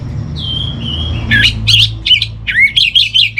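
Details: Orange-headed thrush training song: two smooth whistled notes, then a lively run of quick, harsh and whistled syllables repeated several times a second, over a low hum.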